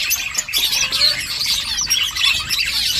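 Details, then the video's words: Nest-building finches in a brief burst of high chirping: many short, sharp tweets and a few clear whistled notes overlapping densely, with a faint flutter-like patter. "Finches chirping sounds Finches making nest"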